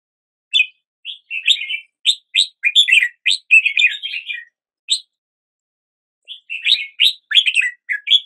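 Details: Red-whiskered bulbul song to start the day, a series of crisp slurred chirps building into a warbled run, then a long pause before another lively phrase.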